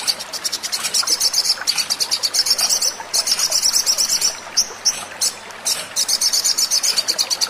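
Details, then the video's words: Sogon bird singing, used as a lure so birds start calling: bursts of rapid, high, metallic ticking separated by short silences. "pancingan sogon agar cepat bunyi"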